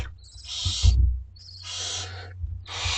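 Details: Two-week-old barn owlets calling for food at dinner time in a school garden: long drawn-out wheezing hisses, nearly a second each, with a deep rumble and a brief thump.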